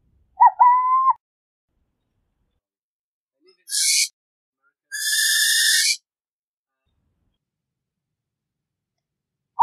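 Burrowing owl: a brief hooting coo of two joined notes, then two harsh, hissing rasps, the second stretched over about a second.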